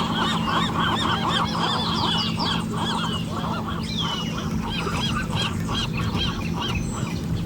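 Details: Seagulls at Mission Bay Beach on the California Pacific coast in the morning, recorded with an Olympus PEN E-PL9. Repeated hoarse, bowed cries come in quick bursts, with a thin high call overhead and steady wave and wind noise.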